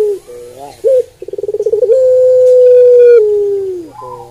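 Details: Barbary dove, puter pelung, delivers a clipped note followed by a rapid pulsing trill that swells into a long sustained coo, steady then falling away, ending with a short soft note.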